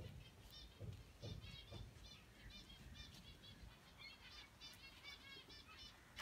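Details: A male rose-ringed (Indian ringneck) parakeet walking and playing on a tree: a steady run of short, harsh, chirping calls, several each second, over low thumps and rustling.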